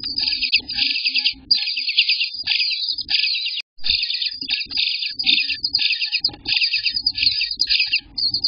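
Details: Begging Eastern bluebird nestlings, day 18 in the nest, June 24th, 2021, morning: long bursts of high, rapid, scratchy chattering, broken by short pauses and one silent gap, over faint low rumbles.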